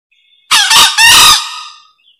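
A green junglefowl gives one short, hoarse, harsh crow in quick broken parts, ending in a fading rasp; nothing else is heard.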